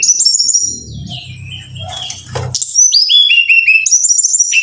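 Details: Brown-chested jungle flycatcher song played as a training recording to get caged birds singing: bright high whistled phrases with descending stepped notes, a noisy low rumbling stretch in the middle, then fast repeated downslurred whistles.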